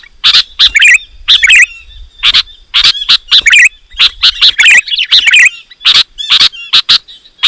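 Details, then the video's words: Sooty-headed bulbul with loud, rapid song used to lure wild bulbuls and provoke rivals; clusters of harsh notes mixed with liquid, wavering whistled warbles throughout. "Suara Burung KUTILANG GACOR, Rapat dan Lantang Menekan Lawan Burung Kutilang Lain Auto Emosi"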